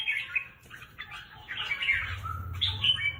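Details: Red-whiskered bulbul in a cage, kept for song contests, giving chattering warbled phrases in several short bursts, with a low steady hum underneath.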